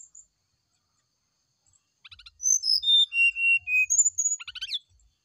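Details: In the morning, a brown-chested jungle flycatcher sings to lure a reply: a brief clicking rattle opens a cascade of clear whistles dropping steadily in pitch, closed by another rattling burst.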